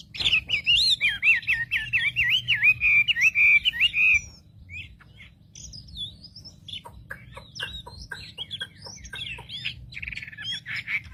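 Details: A wambi sings to provoke other wambis: about four seconds of continuous, rolling whistled warble, then quieter scattered clicks and short chirps, with a soft low hum in the background.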